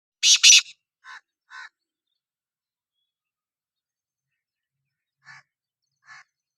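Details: Black francolin giving a short burst of two loud harsh, grating notes, followed by a few much fainter rasping notes spread over several seconds of silence.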